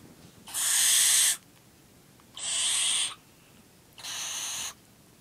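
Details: A 9-week-old captive barn owl (Tyto alba) gives three harsh, breathy hissing screeches while feeding, each nearly a second long and spaced about two seconds apart, against a quiet background.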